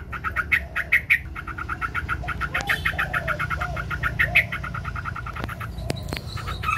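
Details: White Chinese hwamei singing in a contest, spreading its wings: long bursts of quick, ringing repeated notes, some louder emphasized phrases, soft lower notes beneath, and a few sharp clicks near the end.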